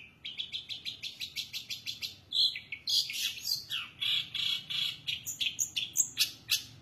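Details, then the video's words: Vigorous long-tailed shrike song with a lavish varied repertoire: a fast run of evenly spaced sharp notes gives way to loud, harsh, shifting phrases and scratchy chatter, sung almost without pause. "cendet gacor isiannya mewah banget"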